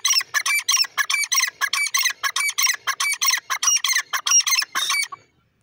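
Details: Francolin, known locally as teetar, with Irani, Dakhni and Pahari types named, giving loud, harsh, rasping notes in a rapid steady series, around eighteen bursts in five seconds, then falling silent.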